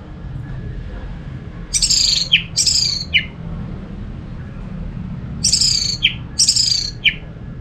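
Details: Orange-headed thrush song used as a lure to get other thrushes singing: two bright, complex phrases mixing high buzzy notes and sharp downslurs, then a pause of about two seconds and a near-repeat pair, over a low background hum.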